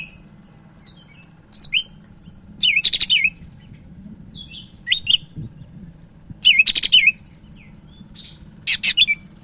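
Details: Sumatran leafbird (cak ijo Medan) in full song, suited for tutoring or provoking other birds: scattered bursts of buzzy chatter and curling whistles every one to two seconds, with quiet gaps between.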